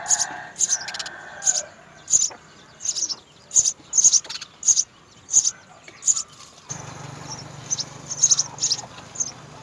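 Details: Begging from three house sparrow chicks in the nest while their parents bring food: sharp high tweets repeat about every half second, with a steady low rumble joining in partway through.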